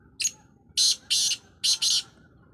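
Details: Black francolin calling: a short harsh note, then two longer rasping, grating bursts, a brief pause, and two more loud scratchy bursts, all high-pitched over a quiet background.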